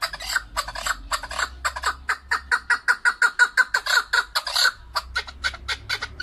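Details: Rhythmic chuck notes of a Chukar partridge (keklik), swelling into a dense regular series in the middle and then easing back to spaced single notes, with a low background hum throughout.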